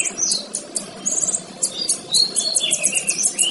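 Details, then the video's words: Singing male kinoy, recorded for training other birds: quick high chips and short trills, followed by longer whistled notes that slide downward and rise again. "Suara Burung Kinoy Jantan"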